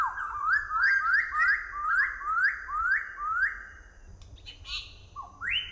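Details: Southern variable pitohui, a poisonous bird known for a melodious voice: a series of clear whistled notes, each sliding upward, repeated about twice a second. Two separate rising whistles follow near the end, with faint higher chirps in the background.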